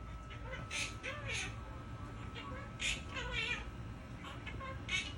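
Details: A pet monk (Quaker) parakeet sings the Happy Birthday tune in short, voice-like, warbling phrases.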